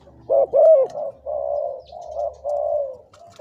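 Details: Captive spotted dove decoy, two to three years old, with a big, deep voice. It gives two sharp opening notes, then long level purring coos one after another.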